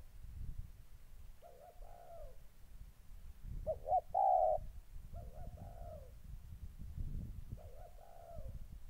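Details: Captive decoy spotted dove in Gia Lai, Vietnam, moulting and eager to fight, 14 August 2020, gives four soft, mellow cooing phrases, each about a second long, roughly every one and a half seconds, over a low rumbling background.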